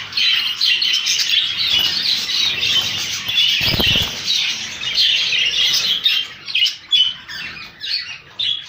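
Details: Rainbow budgerigars in a colony: dense, overlapping high chirps and warbles from many birds, with a burst of wing flapping near the middle.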